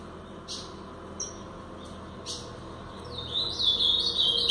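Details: Paraná-style song from a brown-plumaged Blue-black grosbeak. After a few faint clicks, a bright, rapid warbled phrase of high sliding notes rises in loudness in the last second.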